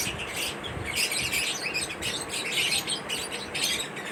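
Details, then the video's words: Lovebirds in a mating ritual give bursts of sharp, high chirping and twittering, grouped into clumps roughly every half second, over a faint low background rumble. "lovebirds mating Rituals l love bird sound l attract your love birds chirping sound lovebird"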